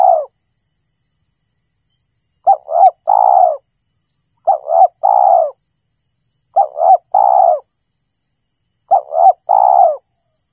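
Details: Spotted dove cooing, played to attract birds: four evenly spaced three-part phrases roughly every two seconds, two quick low coos and a longer full coo, with a steady high hum in the background.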